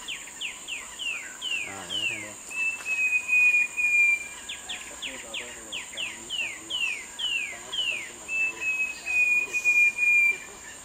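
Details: Short-tailed babbler, Malacocincla malaccensis, giving two long, pure, slightly falling whistles, each after a quick series of sharp downslurred notes, over constant high-pitched insect buzzing and a brief murmur of voices.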